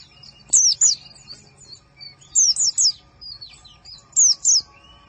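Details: White-eye training recording used to teach caged birds: very high, thin chirps that sweep downward, given in quick bursts of two or three, separated by quiet pauses with faint softer notes.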